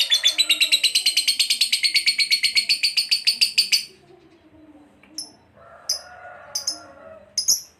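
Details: Lovebird sound for daily training of pet birds: nearly four seconds of rapid, grating chatter, then the rapid run stops; a quieter stretch follows with a few short, sharp squeaky chirps and faint lower noises.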